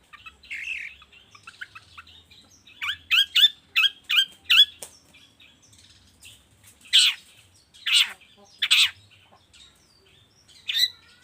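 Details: Long-tailed shrike lure sound used in the morning to make silent shrikes sing: a harsh rasping phrase, then a fast run of five sharp chattering notes, then loud scratchy calls roughly every second.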